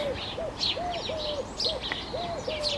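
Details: Eurasian collared dove gives low, hollow coos in a steady repeated run, some notes drawn out longer, in an Irish garden in early spring, just before and during sunset on a warm day; other small birds sing, chirping high and thin.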